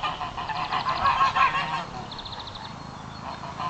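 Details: Several geese upset by a horse, filmed on a phone outdoors: a burst of harsh, nasal honks repeated rapidly over the first one and a half seconds, then a shorter higher honking series, with faint background noise.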